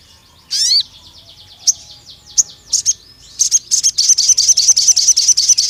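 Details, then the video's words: Long 'nembak panjang' song of a pied fantail, used as a lure recording. A buzzy rising sweep opens, then scattered thin squeaks lead into a fast series of piercing high chips that continues to the end. "PANCINGAN SUARA BURUNG SOGON NEMBAK PANJANG INI"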